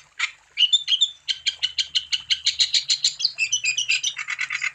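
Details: Lively wambi song meant to stir other wambi into singing: a quick string of high, clipped notes in a steady rattling run, with a few clear whistled slurs near the start, continuous throughout.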